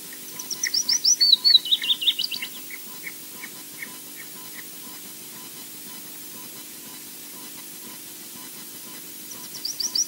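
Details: Osprey chick begging at the Loch Garten nest, Scotland; a rapid series of high whistled chirps sliding downward, followed by softer pulsed notes, a long quiet pause, then the chirping series resumes.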